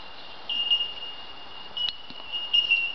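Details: Bellbirds in the treetops of an Australian forest at dawn give clear, ringing bell-like notes, high and pure, held and overlapping so they chime together over a soft background hiss.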